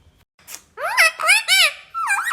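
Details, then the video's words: Talking parrot producing a quick run of four loud, harmonic, arching syllables like spoken words, with faint background music. "Parrot sound ❤️बोलने वाला तोता"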